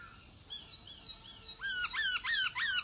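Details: Masked laughingthrush in active song, used to draw quiet birds into singing: soft thin high notes at first, building into three loud, bright, falling squeaky calls.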